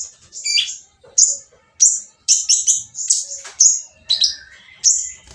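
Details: Oriental magpie-robin giving a coarse, noisy song to provoke others to sing: loud high scratchy notes repeated roughly every half second, with a few buzzy doubled phrases.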